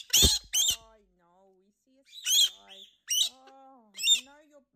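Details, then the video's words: Pet galah indoors in summer, upset by a fly that got past the screens: harsh, noisy screeches in short bursts alternating with a person's soothing voice. "Parrot freaks out over fly"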